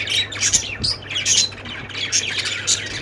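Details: Short stretch of budgie chatter, lovebirds also named, with sharp high chirps and scratchy squawks in quick pulses and a steady electrical-sounding hum underneath.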